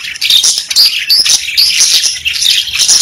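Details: Pet budgies sing and chirp in a busy flock chorus, rapid squeaky chirps and thin whistled notes tumbling over each other with no break, about two notes every second standing out above the chatter.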